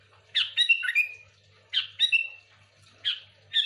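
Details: Sooty-headed bulbul, played as a lure for other bulbuls, gives short phrases of a harsh note followed by a drawn-out falling whistle, repeated roughly every one and a half seconds.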